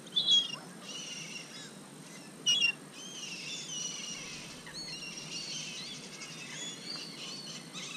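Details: A flock of gulls at lake Hovindammen, being fed minced chicken, calls together in overlapping high, harsh cries. Two louder screeches stand out at the start against a steady hiss of background noise.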